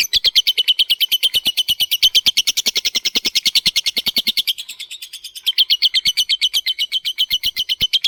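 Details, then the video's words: Long ngekek chatter from a lovebird, a prompting song meant to set other lovebirds singing: a fast, unbroken stream of shrill, rasping notes that dips briefly near the middle, then resumes at the same rapid pace. "kicau lovebird pancingan lovebird ngetik ngekek"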